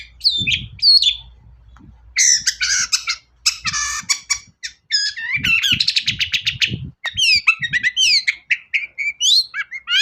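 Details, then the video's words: Long-tailed shrike singing to provoke other shrikes into song; rich mix of buzzy rattles, fast trills and high sweeping whistles, delivered in busy bursts, with low thumps underneath. "CENDET GACOR SUARA AMPUH..! pancingan burung cendet paling dicari"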